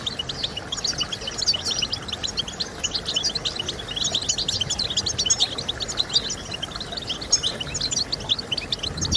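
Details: Goldfinch song meant to stimulate singing birds: a fast, unbroken stream of high twittering and jingling notes, with liquid trills and chirps layered over a soft low hum.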